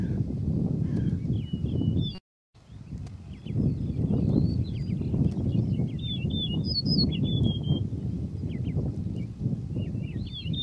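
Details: Male Yellow-breasted Bunting singing: bright whistled phrases of sliding, wavering notes, several bursts across the stretch against steady low rumbling noise, with a brief silent gap near the start.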